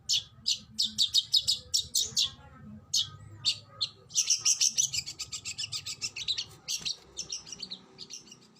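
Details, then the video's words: Kacer (oriental magpie-robin) training song in the 'tembakan' style: separate high chips speeding into a dense, rapid rattle of repeated notes, then trailing off into softer twitters. "MASTERAN BURUNG KACER TEMBAKAN SADIS"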